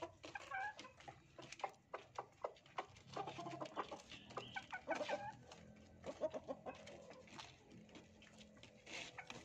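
Red junglefowl clucking in short, repeated, husky notes, several birds calling over one another with scratchy clicks and rustling between.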